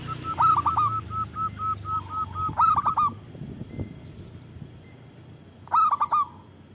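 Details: Loud, lively local zebra dove, recorded as a lure to stir other doves into calling: a run of rapid evenly spaced soft notes, then clipped three-note cooing phrases repeating, with low background noise.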